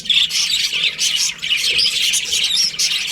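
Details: Budgerigar colony during breeding season: dense, continuous high chirping and scratchy squawks from many birds overlapping, with no pauses and a steady loud level throughout.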